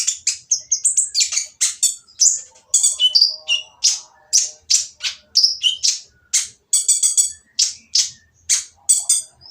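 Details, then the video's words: Oriental magpie-robin giving a noisy, harsh song meant to provoke silent birds into singing: a rapid run of high whistles and scratchy buzzy notes, sliding up and down, delivered in quick bursts with brief pauses. "konin yang diam malas bunyi akan nyaut jadi gacor setelah mendengar suara konin berisik ini !!"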